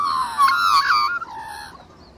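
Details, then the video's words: A hungry Australian magpie gives a long, wavering, whining begging cry that falls to a lower moan and fades after under two seconds. "Australian Magpie Hungry Jet Plane!!!"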